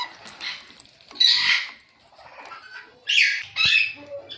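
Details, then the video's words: Ringneck parakeet kept as a pet, giving harsh, scratchy squawks in short bursts separated by quiet gaps, with a few softer chatters and a brief low rumble near the end. "Ringneck Talking Parrot Natural Chirping Sounds"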